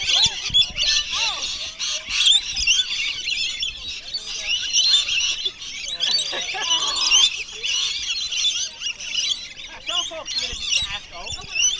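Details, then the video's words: A flock of wild rainbow lorikeets being hand-fed at Bungalow Bay on Magnetic Island, 26 December 2013, screeches nonstop; many overlapping harsh, high squawks form a steady din, while people talk quietly beneath. "Feeding Rainbow Lorikeets."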